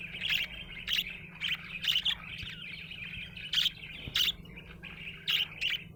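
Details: Happy budgerigar uttering bright, short squeaky chirps at irregular intervals, often in pairs, between quieter raspy chatter; a low hum runs throughout.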